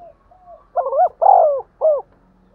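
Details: Spotted dove giving the urging 'thúc gù' coo, used to stimulate other doves to call: two faint soft notes, then a throaty three-part phrase of short coo, long drawn coo and a clipped final coo.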